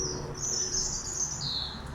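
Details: A bird sings at night after 11 pm in an urban area: thin, high, drawn-out whistles that waver and then step down in pitch, over a low rumble of distant traffic.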